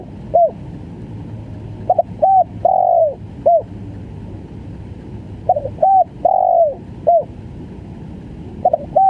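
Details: Cooing of a spotted dove, stuttering 'gagap' style, in repeated phrases of short clipped notes around one long slurred falling coo and a closing short note, spaced about every three to four seconds over low background hum.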